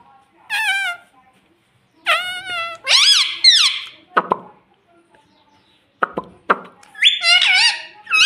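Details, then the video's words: Green rose-ringed parakeet giving loud, harsh screeching calls with wavering, bending pitch in bursts of about a second, separated by short clicks and quiet gaps. "original Sound Ringneck Green"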